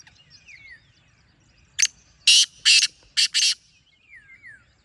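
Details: A single loud black francolin phrase of five harsh, grating notes, the middle ones longest, framed by thin descending whistles of other birds before and after.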